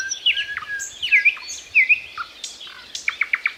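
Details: Thrush nightingale song given slowly and solemnly with pauses between phrases: clear whistled and slurred notes, a few downward swoops, then a fast, evenly spaced run of five or six loud repeated notes.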